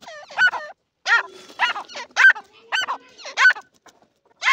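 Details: Irani francolin calling in a series of harsh, harmonic notes with rising and falling inflections, uneven bursts roughly a second apart, with short quiet gaps between.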